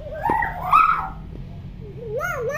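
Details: Tame common hill myna mimicking speech and laughter on request: wavering harmonic syllables rising and falling, a bright peak near the middle, then a rising whistled phrase, with a person talking and background hum.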